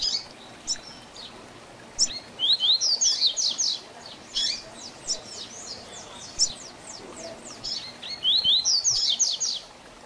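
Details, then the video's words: Double-collared seedeater tutor song, style 'Tui Tui Zel Zel Diferenciado' for training young birds; bursts of rapid, high, ringing downslurred notes recur every few seconds, with isolated sharp chirps between them. "Tui Tui Zel Zel Diferenciado Encarte seu Coleiro ou Papa capim"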